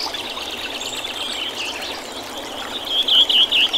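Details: Redwing singing in spring in Oulu, Finland, on 24 April 2019: a high, scratchy twittering phrase breaks through near the end, over the steady rush of running water heard throughout.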